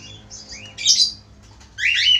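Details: Male budgerigar singing actively: two bursts of harsh, chirpy warbling, high and scratchy, near the start and end, with a quieter twittering note between them and a faint low hum behind.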